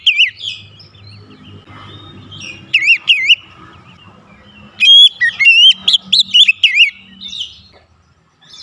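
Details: Song of an Oriental magpie-robin with varied fill-in phrases, used to spur singing: a few scattered whistles over a low hum, then a dense burst of sharp, swooping whistled notes before it trails off.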